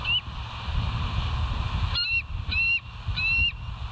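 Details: Live-camera recording of bald eagles at West End, 17 September 2023, 06:50: a lone high whistle, then after a pause three sharp, shrill chirping notes in quick succession, with a steady rumble of wind underneath.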